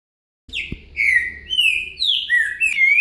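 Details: Green-winged saltator in Boca Mole com Virada song style, used as a singing lesson: a run of loud, rich whistled phrases, each slurring downward, one after another with little pause, in quiet surroundings.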